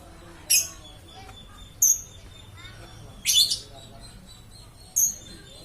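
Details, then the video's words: Caged lovebird singing without stopping: loud, sharp, high chirps and squeaky bursts roughly every one to one and a half seconds, over a thin steady whine and soft background noise. "BURUNG LOVE BIRD TIDAK BERHENTI BERKICAU"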